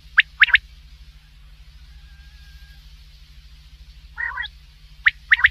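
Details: Night call of a common quail: one sharp triple-note phrase at the start and one at the end, with a short growl in between and a quiet hum throughout.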